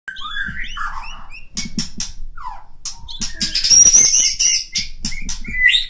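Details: White-rumped shama of the Medan type, singing varied rich whistles and short sweeping notes, mixed with low knocking and clattering thuds and a thin high whistled line near the end.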